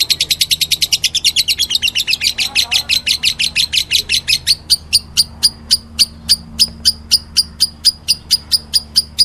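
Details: Lovebird, described as meloloh, starting with a rapid fluttering run of high chirps that gradually slows into separate, evenly spaced sharp notes, over a low steady hum.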